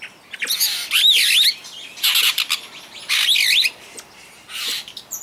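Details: Superb starling singing in a bird park at Walsrode, Germany: four loud bursts of harsh, noisy chatter about a second apart, laced with high wavering whistles that swoop up and down.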